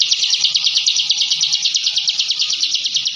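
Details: Bar-winged prinia (ciblek) training song in 'ngebren' style: a high, buzzy, machine-like trill of quick repeated elements, dense and continuous from start to finish.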